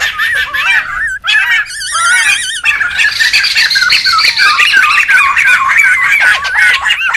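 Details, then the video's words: Noisy wild laughingthrush group used for luring and tutoring: looping whistles and a wavering trilled phrase, then dense continuous chatter with squawks from several birds. "SUARA PIKAT DAN MASTERAN SEMUA BURUNG POKSAY RIBUT ALAM LIAR"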